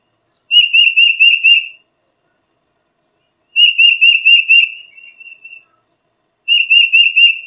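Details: Tufted titmouse giving three clear whistled phrases, each a rapid run of about eight wavering notes lasting over a second, with pauses of about two seconds between them; one phrase trails into softer, lower notes. No other sounds.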